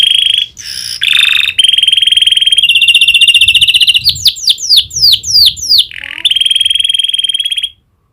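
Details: Canary trained to copy prinia clicks: sustained buzzy trills, then a quick series of descending sweeping chirps, and a final long rattling trill before silence.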